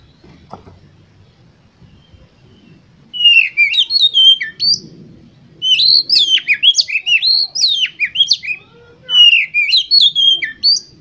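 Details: Oriental magpie-robin song used to spur competition birds into full song: three bursts of loud, fluty whistles and rapid up-and-down slurred notes, separated by brief pauses.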